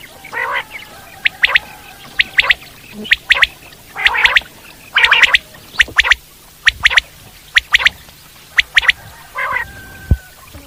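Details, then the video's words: Common quail heard in the wild: crisp notes in twos and threes repeating roughly every second, with occasional gargling, lower notes between them. "Common quail sounds"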